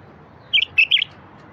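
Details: Single bulbul song phrase, used to encourage silent wild bulbuls to sing: three quick, fluty, slightly slurred notes delivered in under a second against low hiss.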